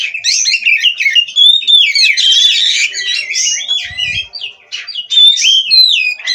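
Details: Captive Oriental magpie-robin (kacer) from a breeding farm singing nonstop in gacor style: loud, varied whistled phrases with sweeping, rising and falling notes and harsh buzzy bursts, almost continuous with brief pauses, and a faint low thump near the end.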